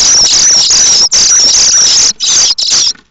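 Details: Nestling common starlings at Théding, France, 7 May, begging for food when they sense a parent arriving; long, loud, grating high-pitched squeals lasting about a second each, several chicks calling together with brief gaps.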